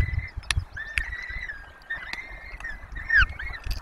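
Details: Peregrine falcons at a webcam-monitored nest in the Barycz Valley while four chicks are fed. Drawn-out, slightly wavering whining calls recur about once a second over low rumbling and knocking noise.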